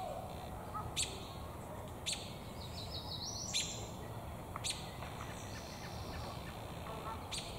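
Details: American robin perched in a tree, beak full of damselflies, possibly seeking a mate; sharp high chirps repeated every second or so, with thin faint whistles between them over steady background hiss.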